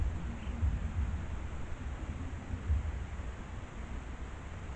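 Steady low rumbling wind noise, with no animal calls.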